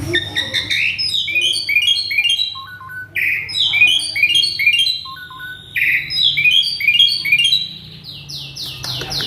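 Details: {'caption': 'Agitated male Asian pied starling in full mimicry song, pouring out dense runs of sweeping whistles and chirps, with lower clipped notes between runs and ringing high whistles at the end.'}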